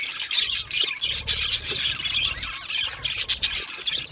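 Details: A colony of budgies, content and relaxed, keeps up a continuous chorus of scratchy chirps, squeaky squawks and short whistles, many birds overlapping, with soft low bumps in the background.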